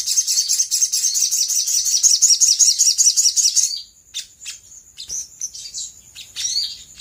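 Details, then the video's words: Sooty-headed bulbul in rapid konslet chatter, used as a lure so other birds respond: a fast, high, buzzy string of notes for almost four seconds, then a few scattered sharp chirps. "PANCINGAN SOGOK ONTONG GACOR KONSLET AHLINYA BIKIN BURUNG BAHAN CEPAT RESPON NYAUT!!!"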